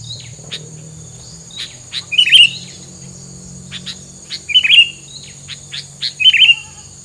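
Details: Three loud trilled whistle bursts about two seconds apart, between dry clicking ticks, from a bird whose filler song is said to keep rivals from coming close.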